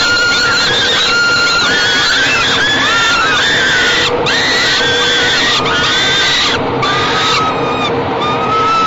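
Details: Falcon chicks begging as their mother feeds them at a nest box, evening of 28 May 2013; rapid series of shrill, wavering screams overlapping one another, with steady noise underneath.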